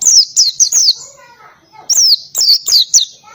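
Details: Oriental white-eye with canary-style volleys, singing busily: high, quick, downward-sliding whistles in a fast string, a brief lull with faint lower warbles, then another run of sharp falling notes.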